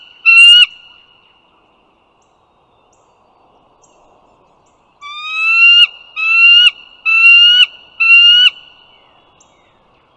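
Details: Bald eagles along the Dulles Greenway, northern Virginia, morning of 16 April 2022: one early whistled call, a quiet stretch of about four seconds, then four rising, harmonic whistles in a quick run.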